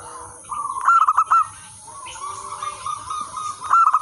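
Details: Local wild zebra dove singing persistently, used for luring and training other zebra doves: a run of soft, stuttering coos with quick trilled bursts near the start and end, over a steady high hiss and low rumble.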